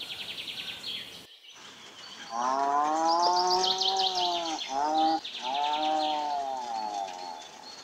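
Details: Seabird calls: drawn-out, nasal, wailing notes that slur slightly downward, repeated in three long phrases, over a background of high, rapid chattering from other birds.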